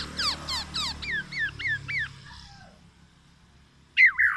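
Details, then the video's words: Black-naped oriole delivering oriental magpie-robin mimicry to challenge rival orioles: a quick run of downslurred notes, then repeated rising-falling whistles, a pause, and a loud burst at the end. "KEPODANG EMAS,black naped oriole , FULL ISIAN MURAI BATU"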